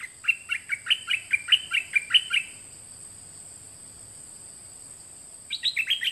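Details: Song of a white-eye, meant for teaching young birds to copy: a rapid series of about ten evenly spaced, bright descending chirps, a pause, then another short twittering burst begins.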